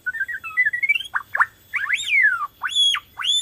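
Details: Singing Borneo white-rumped shama used as a lure to make other shamas sing: a climbing warbled whistle, then loud swooping slurred notes that rise and fall, ending in ringing arched whistles.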